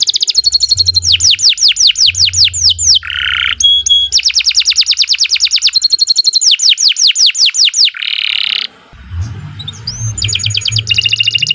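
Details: Canary singing a long, lively master song used to train young birds: fast rolling trills of rising sweeps, pure whistled notes and a buzzy burst, in tour after tour, over a low background hum.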